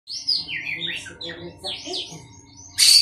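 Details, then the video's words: A captive, jumpy Oriental magpie-robin kept among other birds to calm it sings rich, varied whistled phrases that swoop up and down, ending in a harsh burst; faint low hum underneath. "kacer giras"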